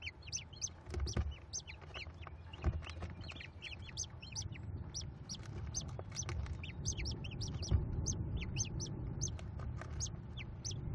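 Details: Five nestling American kestrels being fed rodent leftovers by the female at a Cornell nest, May 18, 2021: a steady chorus of thin, high, rapid chittering notes with low background rumble throughout.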